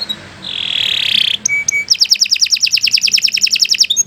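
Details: Canary singing a long, continuous song suited for tutoring other birds. It opens with a buzzy swelling note, then a few clipped high notes, then a rapid, even trill of repeated high chips lasting about two seconds.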